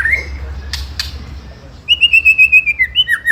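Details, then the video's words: Song of a white-rumped shama to provoke rival birds: a short whistle and two clicks, then a rapid, evenly repeated series of clear whistled notes ending in a dip. "Pancingan Murai Paling Ampuh !! ketrekan kramat | 99.9% langsung ikut emosi ( shama bird fighter )"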